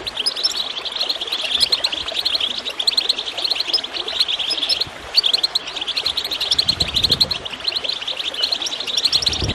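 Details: Lively goldfinch chirping, meant to get birds singing, pours out in dense high twitters broken by one short pause midway, with gurgling water below and low splashes later.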